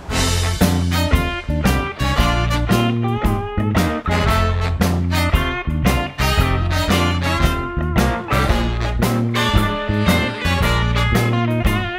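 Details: Upbeat swing-style band music with strong bass and guitar plays throughout; no animal sounds are heard.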